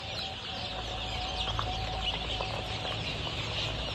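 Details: Golden Misri chicks, 23 days old, on a poultry farm in Pakistan and offered for sale: a dense chorus of high, overlapping peeps with a few sharper cheeps, over a steady low hum.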